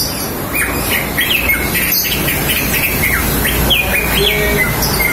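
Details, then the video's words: Female green leafbird calls used to lure a male into singing: clear, high whistled notes slurring up and down in quick, irregular phrases over a steady hiss of background noise. "Suara Cucak Ijo Betina untuk Memancing Cucak Ijo Jantan"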